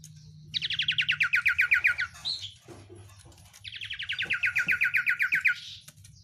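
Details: Two long, rapid trains of downward-slurred chirps from an Oriental white-eye in sirtu style, each roughly one and a half seconds, with a brief squeaky note between them.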